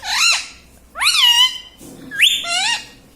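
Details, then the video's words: Talking pet rose-ringed parakeet repeating word-like phrases, perhaps "Mummy Papa" or "Mitthu": three loud, harmonic, rising-then-falling syllables about a second apart, in a quiet room. "Mummy Papa Bolunga || Talking Parrot || Mitthu Mitthu"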